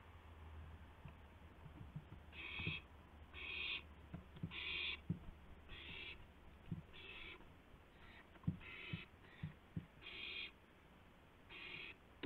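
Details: Gopher delivery between owls at 2:51 AM on April 2, 2016: about nine harsh hissing screeches in a steady sequence, accompanied throughout by frequent thumps, taps and scraping sounds.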